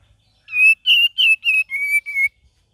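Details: Cream-vented bulbul singing in an energetic, chattering variation style used as a training lure for other songbirds: six short, clear whistled notes in quick succession, the later ones flatter and lower, with brief gaps and no other sounds.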